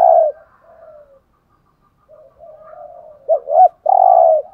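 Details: Spotted dove of the 'hạp bổi' voice, used to stimulate caged males: a loud opening coo, a softer drawn-out note, a quiet gap, then strong doubled arching coos and a long rolling coo.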